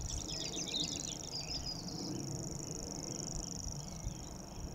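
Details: Reeling grasshopper warbler, Totteridge Valley, 6 May 2017: an unbroken, very high, rapidly ticking trill like a spinning fishing reel fills the whole stretch, with brief chattering from another bird at the start and soft wind below.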